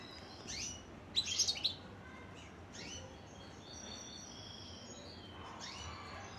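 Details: A European goldfinch sings a short, jingling run of bright chirps early on, then sparse high notes and faint twittering against a constant soft background noise.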